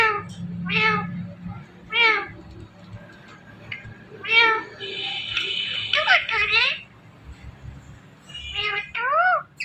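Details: Talking rose-ringed parakeet repeating "Mithu": a run of short harmonic, speech-like syllables with wavering, warbled notes in between, over a faint low hum indoors.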